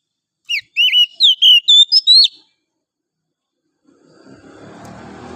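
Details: Morning song of a wild oriental magpie-robin from the forest. One quick string of about seven bright, slurred whistles, each note bending up or down, then silence, followed by a low rumbling background noise.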